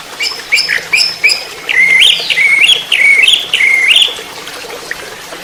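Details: Orange-headed thrush song, a training recording for caged songbirds: a run of short looping whistled phrases, each dipping and rising, sung in a quick series over about three seconds, with faint background hiss.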